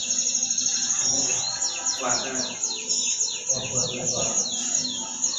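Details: Canary song from an Indonesian masteran training recording: quick rhythmic trills of high, sweeping notes run steadily, fairly soft, with low background hum and murmuring underneath.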